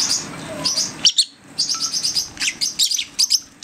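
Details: Six-week-old baby lovebirds learning to feed themselves give sharp, high-pitched chirps in quick clustered bursts. There is a short silent gap near the first second, then dense squeaky chatter resumes.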